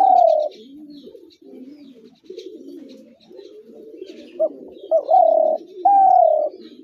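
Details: Spotted dove cooing: one long, slightly falling mid-pitched coo, a stretch of soft lower murmuring coos, then two short rising notes and two drawn-out steady coos near the end.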